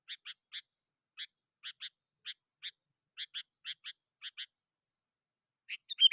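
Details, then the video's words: Sooty-headed bulbul in lively calling to rivals, a recording used to lure wild bulbuls: short bright chirps, mostly in pairs, repeated in quick bursts with brief pauses, then a sharper cluster of notes at the end. "Suara Burung KUTILANG GACOR"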